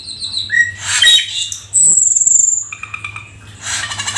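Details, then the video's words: Black-winged starling song: a short falling whistle and harsh burst, then a long piercing high whistle slowly falling, followed by soft rattling chatter. "Jalak Keling gacor full isian"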